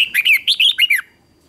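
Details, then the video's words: Bulbul song for training birds in competition singing: a fast, lively red-whiskered bulbul phrase of about seven sweet, slurred whistled notes packed into one second, then quiet. "Luyện Chào Mào Hót Đấu Ché"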